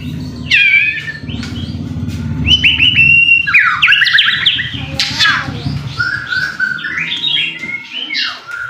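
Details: White-rumped shama song played as a lure to make a bird sing: fast tumbling sequence of whistles, slurs and harsh chatter in continuous phrases, over low rumbling hum.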